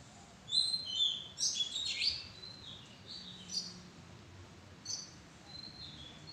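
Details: Oriental magpie-robin in a madan tree thicket giving faint, high squeaky chirps in a loose cluster, then scattered single notes against steady background noise.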